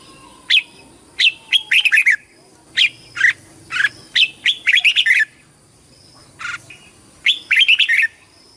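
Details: Red-whiskered bulbul in fighting-song mode for voice training and calling the flock: a steady series of loud, clear whistled phrases, several fast multi-note bursts interspersed with single notes, little pause between them.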